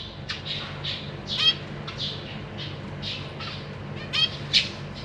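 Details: Zebra finches in a big cage, parents feeding three juvenile and three newly hatched babies in April 2023; scattered soft nasal notes with a few louder squawky calls, over a low background hum.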